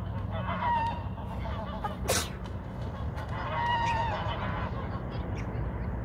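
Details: Two short nasal honks from fighting geese, one early and one near the four-second mark, separated by a sharp broadband thump, over steady low-pitched background rumble.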